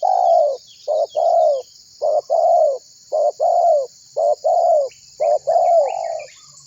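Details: Spotted dove, a persistent caller, cooing to prompt other birds to join in, used as a lure recording: six pairs of low, hollow coos, a short note then a longer falling one, each pair about a second apart, over a steady high hiss.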